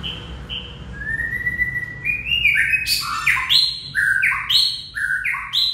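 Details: White-rumped shama singing a lively warble: opening whistles lead into a rapid series of varied stepped notes jumping between lower and higher pitches, rich and clear, with a faint low hum behind.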